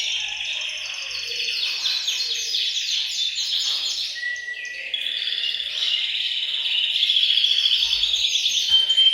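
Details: Canaries in a bird room sing in a group to prompt males to sing and prepare females. Overlapping rapid trills and chirps continue throughout, with a brief held lower whistle near the middle and growing intensity later.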